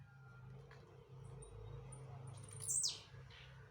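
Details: A single high buzzy descending burst from a jumping blue-black grassquit near the end, heard above a constant low droning hum and a few faint high ticks.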